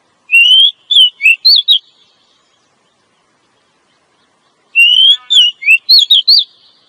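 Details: Female Oriental magpie-robin calling to make a male sing; two bursts of varied whistles, rising and falling slurs in quick notes, separated by about three seconds of silence.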